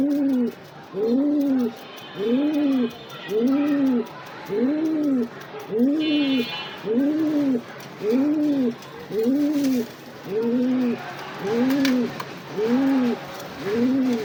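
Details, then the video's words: Low, rounded coos from a high-flying Giribaz pigeon, from a collection of male and female birds, repeat about once a second for twelve calls, rising and falling each time, with brief faint chirps behind. "গিরিবাজ কবুতর নর এবং মাদী কবুতর"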